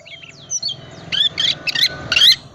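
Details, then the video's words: Oriental magpie-robin, calm type, giving 'isian' song as a lure for reluctant singers: soft thin whistles at first, then four louder buzzy, scratchy bursts of notes close together. "Kacer tipe dingin gacor full isian pancingan kacer susah on di jamin bunyi gacor lagi"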